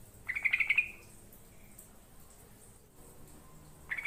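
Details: Yellow-vented bulbul song for luring birds: a short bubbling burst of quick warbled notes, then about three seconds of near silence before another phrase begins.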